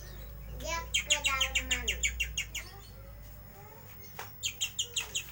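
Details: Ngeriwik-style song of a bird-shop lovebird: a fast series of bright, squeaky chirps at about three per second, a short pause, then another quick burst of the same high chirps, with a low background hum.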